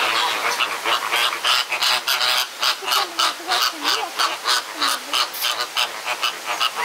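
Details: Flamingos fighting in a crowded enclosure at Jardin Botanique de Deshaies, Guadeloupe; loud nasal goose-like honks repeated rapidly, about three per second, from several birds, with a lower wavering note in the middle.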